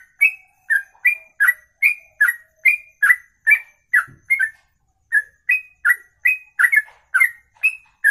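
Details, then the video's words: Bird delivering a ropelan, a long song in one breath: evenly spaced whistled chirps about two per second, alternating higher and lower, a brief pause near the middle, then the same pattern resumes, with a faint low thump. "Inilah Ropelan Sekali Nafas 2 menit lebih"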